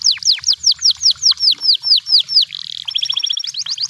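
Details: Wild canary giving a clear series of loud, descending whistled slurs, roughly four per second, then switching to a soft buzzy roll and quick, fine chattering trill.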